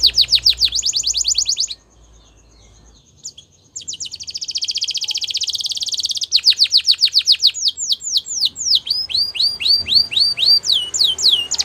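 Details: Gloster canary singing a training song: rapid rolled trill, a short pause with a thin tone, a dense buzzy roll, then descending sweeps and rising whistled notes repeated quickly.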